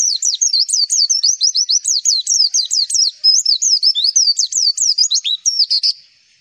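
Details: Pleci, a white-eye, in a tutoring recording meant to draw replies from other white-eyes: a continuous rapid stream of high, thin zigzag whistles, about three per second, ending in a short buzzy note.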